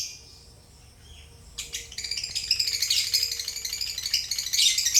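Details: Near-quiet at first, then relaxed pet lovebirds burst into a rapid, rattling chatter of high, scratchy chirps that builds in intensity toward the end.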